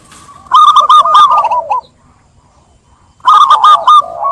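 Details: Lure song of a zebra dove, meant to get a silent dove singing. A rapid run of rolling, bubbling coo notes breaks off into silence, then starts again.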